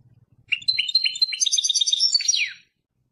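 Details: European goldfinch, labelled Persian, singing a two-second run of fast twittering notes ending in a falling slurred whistle, with a faint low hum before the song begins.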